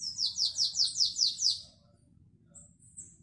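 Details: Canary delivering classic Belgian song (Canto Belga), 2021: opens straight into a fast series of about seven high falling sweeps, goes quiet, then gives two short thin high notes near the end; faint low rumble behind.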